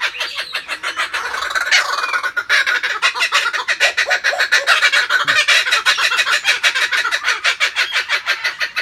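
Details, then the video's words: Kookaburras give a loud, harsh cackling chorus of rapid chuckles, about three a second, swelling and overlapping for the whole stretch. "kookaburra singing"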